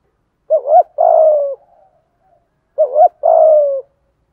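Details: Spotted dove giving its full song in the giọng thổ voice with thúc gù cooing. Two identical phrases, about 2.3 seconds apart, each a short wavering double coo and then a drawn-out, slightly descending buzzy coo.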